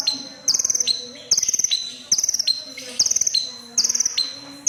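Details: Crimson sunbird singing actively: rapid high trills repeated about every second, each a tight string of sharp pulses with a thin sustained note after.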